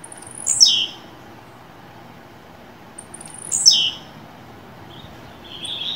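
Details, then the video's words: Blue-black grassquit kept in captivity, singing the fibra style as part of warming up: two quick, shrill descending buzzy phrases roughly three seconds apart, then faint high chirps at the end. "Tiziu e Canto Esquenta seu Tiziu Agora Canto Fibra"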